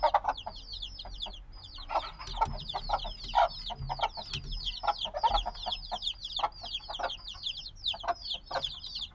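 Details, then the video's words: A brood of black chicks a few days old chirps loudly and constantly, high down-slurred peeps overlapping, mixed with frequent pecking-like clicks and faint low bumps. "Baby Chicks Sounds - Baby Chicken Chirping Noises"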